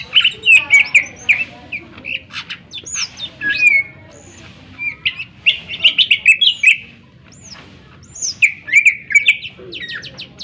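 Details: Greater green leafbird in rich, varied song with sharp tones, used to provoke other birds; rapid jumbles of chirps, slurred whistles and trills in several bursts separated by short pauses.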